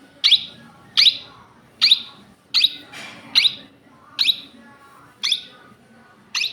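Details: Natural calls of a pet Indian ringneck parakeet: piercing, harsh shrieks delivered in a steady series about every three quarters of a second over a faint background hum.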